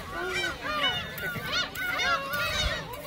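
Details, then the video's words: A flock of gulls at Seonjaedo crowding for shrimp cracker snacks, giving rapid, overlapping squealing calls that curve up and down, dense and continuous, over low background rumble. "선재도 갈매기 새우깡"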